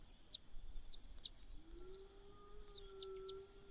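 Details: Common cuckoo chick begging in a host's nest. Harsh high hissing notes come in regular bursts nearly every second. A faint low steady hum runs underneath in the second half.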